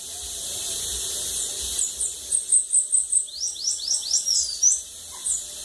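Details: Bananaquit, called sibite, at a lagoon. It gives a thin, very high song: a run of quick downward-sweeping notes about twice per second, ending in a few sharp slurred notes. There is steady background hiss.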